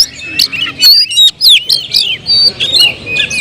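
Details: Kept Oriental magpie-robin singing a loud, varied song of sharp whistled notes and quick slurred phrases, rising and falling, broken by brief clicks and short pauses between bursts.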